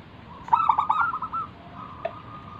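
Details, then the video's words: Local zebra dove, a lure to make other doves sing, utters a quick stuttering burst flowing into a short rolling trill, then a single clipped note, over a faint steady hum. "burung perkutut lokal Gacor manggung - pancingan pikat paling Ampuh mengundang bunyi"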